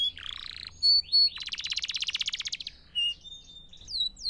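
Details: Canary song played for training young canaries to sing: a buzzy high burst, two clear whistled notes, then a fast even trill of about twenty pulses, a low whistle, and rising upslurred notes at the end.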